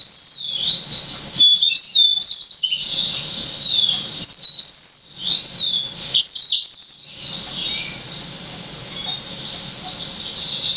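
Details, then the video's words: Young captive Yellow-fronted canary x Black-throated canary hybrid, six months old, delivering bursts of high, sweet whistled song with swooping slurs and fast twitters, separated by short pauses, a faint hum in the background. "Yellow-fronted canary (Green singer) X Black-throated Canary"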